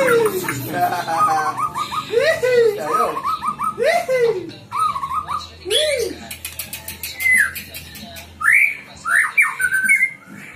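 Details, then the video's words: Captive-bred white-rumped shama from a breeder in Ngerang village, Tambakromo, Pati, Central Java, singing actively with varied fill-in phrases: loud, clear whistled notes that arch up and down, given in quick bursts with short pauses between them. "Murai batu gacor ll full isian lur"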